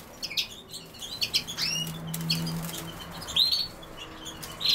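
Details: European goldfinch, named alongside common sow-thistle, sings a series of short rising and falling twittering notes, bright and high, in brief bursts separated by pauses, with steady low hum underneath.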